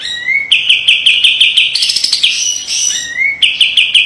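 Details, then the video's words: Sharp master song of a kapas tembak white-eye for training, with dense rattling: a rising whistle opens a quick chattering trill, broken by a higher buzzy burst, then another rising whistle and trill. "SUARA KAPAS TEMBAK TAJAM DAN PEDAS‼️ SPESIALIS BESETAN RAPET PALING COCOK MASTERAN"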